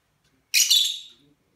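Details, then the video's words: African grey parrot kept as a household pet: one loud, harsh, broadband squawk lasting under a second, fading out at the end. "africa grey talking"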